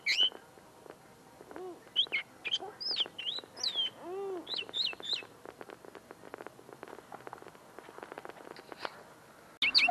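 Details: Caged linnet, tame, its song not yet fully formed: bursts of quick twittered notes early on, lower arching tones, then a long stretch of dry clicking and rustling.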